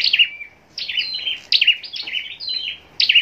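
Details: Caged scarlet-backed flowerpecker from Long Thành, Vietnam, raised for contest singing, gives three quick bursts of high, piercing, downslurred chips and ticks separated by brief pauses.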